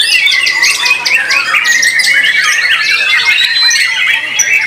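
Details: At a bird singing contest, a white-rumped shama delivers fast, unbroken song: bright whistled notes over a steady, buzzy chattering layer, loud and sustained from start to finish with rapid changes of phrase.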